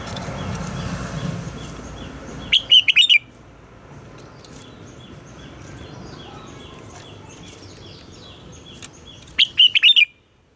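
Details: Red-whiskered bulbul morning song used to train captive bulbuls: two short bursts of loud warbled notes near the start and end, separated by quiet hiss and a low rumble early on.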